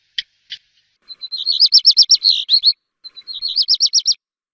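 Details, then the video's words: Two sharp clicks open a black redstart song, followed by a rapid whistled warble with a crackling end, then a second warbling phrase. "Black redstart song and calls"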